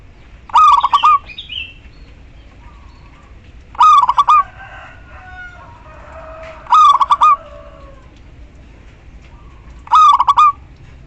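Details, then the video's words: Local female zebra dove calling the male, four chopped cooing phrases roughly every three seconds, each ending in a sustained note, with softer warbling from another bird in the gaps. "perkutut lokal betina memanggil JANTAN"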